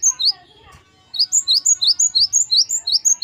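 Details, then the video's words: Gelatik batu, or great tit, in gacor wucit variasi song for training caged birds. Brief softer chirps and a pause open the clip, then a steady run of bright two-note phrases, a rising note paired with a high whistle, delivered evenly and fast. "Gelatik batu gacor wucit variasi. Great tit. Singing birds."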